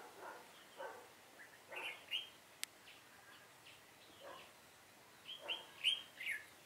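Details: Red-whiskered bulbul used as a decoy during trapping on 7 September 2018, giving faint, scattered bright warbled notes and short chirps across the clip, with quiet gaps between phrases and a single sharp click midway.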